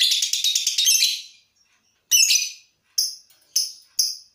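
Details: Lovebird practising its long ngekek trill before a contest to build breathing: a dense, harsh chattering trill for about one second, then a rasping burst and three short high chirps spaced half a second apart.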